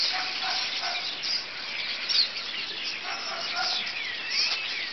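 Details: A large flock of birds crowded on a telephone pole and wires calls loudly and continuously outdoors, producing a dense, overlapping chatter of chirps and squeaky notes with no pauses.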